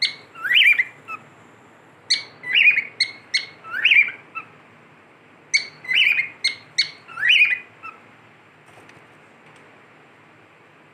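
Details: Cockatiel kept as a pet, whistling a repeated phrase of sharp short notes followed by a rising, slurred whistle, the pattern given three times over about eight seconds, then quiet.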